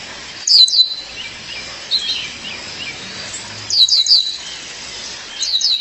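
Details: Female violaceous euphonia calling her partner: high, clipped chirps in pairs and triplets at the start, middle and end, separated by quieter pauses with soft hiss.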